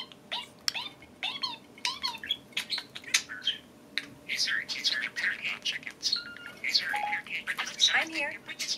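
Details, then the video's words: Two molting-season pet parakeets kept indoors, playing on top of their cage and squabbling over a shared food bowl: rapid, continuous chattering warbles broken by harsh squawks and sharp chirps, over a low steady room hum. "Parakeets squabbling over food"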